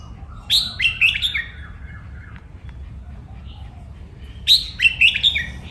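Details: Red-whiskered bulbul, a cage bird, singing for song training: two lively phrases of rapid, sharp whistled notes tumbling downward, with about three seconds of quiet and faint chatter between them.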